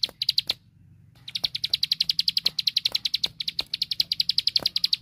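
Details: Ciblek sawah, a plain prinia, sings for training caged songbirds: a fast run of clipped high notes, a brief silent gap near one second, then a long steady rattle of repeated ticking notes.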